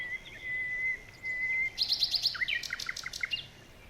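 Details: Birds chirping in a forest in the morning: a long steady high whistle held for over a second, then a quick run of sharp chirps and short descending notes, with a faint hiss behind.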